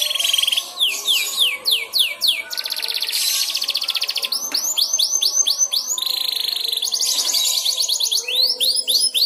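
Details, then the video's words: Canary learning its ngeriwik song, lured by another canary singing: loud, continuous high song of repeated down-swept whistles, fast buzzy rolls and sustained trills, rhythmically pulsing throughout. "Suara Burung Kenari Belajar Ngeriwik, manjur mantap kena pancingan suara kenari lain"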